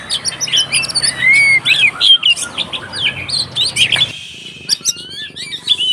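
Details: Agitated white-rumped shama fighting song meant to provoke rival shamas, mixing bright whistled phrases and scratchy chatter in quick succession, with a long steady whistle and upward slurs after a brief pause midway.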